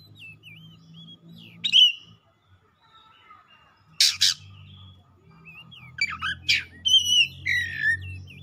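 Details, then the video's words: Kacer (Oriental magpie-robin) in heated song, delivering its isian: scattered thin wavy whistles, a loud harsh double rasp, then a busy run of whistled and chattering notes over a steady low hum. "KACER GACOR LANGSUNG MEMANAS NAIK EMOSI BONGKAR ISIAN"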